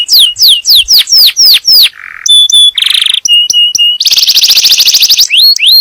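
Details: Yellow canary in song, used to prepare the female for breeding and teach the young: descending whistled sweeps, a low buzzy note, clear flat tones, a rattling trill, then upslurred whistles.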